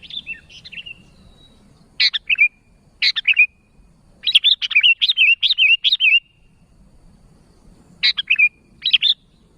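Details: Sooty-headed bulbul calling to others, giving lively bursts of bright chirped notes, some in short pairs and one longer run of rapid chattering chirps, separated by brief pauses.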